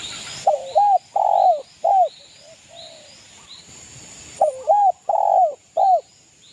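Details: Spotted dove from East Java, a vigorous caller meant to rile rival birds, repeating a phrase of low cooing notes twice with a pause between, with faint high bird chirps in the background.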